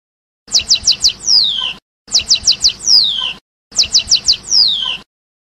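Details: Chardonneret song in the passades style, three matching phrases about every 1.6 seconds, each four sharp, high chirps followed by a drawn-out descending whistle, with silence between phrases.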